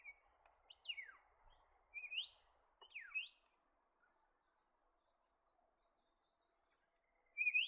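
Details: Black-faced monarch from forest along Australia's east coast: quiet clear whistles, some sliding steeply down and others rising sharply, spaced about a second apart, then a pause and one final rising whistle.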